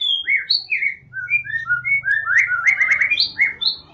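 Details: Murai batu, the white-rumped shama, in full song, meant to spur a reluctant singer: rich fluting notes at shifting pitches, then a rapid burst of repeated bright whistles, with a soft low rumble beneath.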